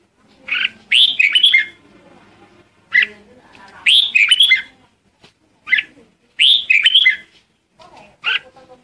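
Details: Red-whiskered bulbul lure song meant to call the flock: lively warbled phrases of rising and falling whistled notes, repeated in bursts roughly every two to three seconds with short quiet gaps between.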